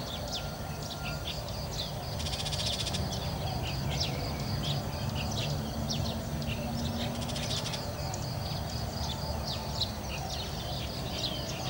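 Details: Burmese shrike calling on a Saturday morning, 7 November 2015, in a village in Chiang Mai: scattered short sharp chirps with two harsh rasping bursts, over a low background rumble.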